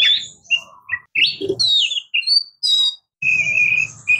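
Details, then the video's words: Oriental magpie-robin, or kacer, in song: mixed whistles and scratchy chatter, a high buzzy note, then a steady drawn-out whistle over light low background noise. "Oriental Magpie Robin Singing | Suara Burung Murai Kampung | Bunyi Kacer"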